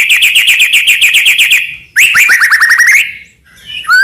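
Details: White-rumped shama, Medan type, in constant song full of varied fillers, used to make other shamas sing: a fast, steady trill of repeated chirps, then a downward-sweeping run of quick notes and a brief upslurred whistle.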